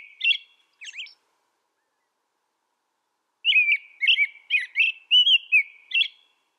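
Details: American robin song from North America: two short whistled notes, a long pause, then a lively string of six or seven warbled, rising and falling phrases in close succession.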